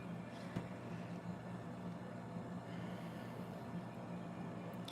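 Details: A steady low hum and faint outdoor background noise with a soft knock near the start. No animal sound is heard.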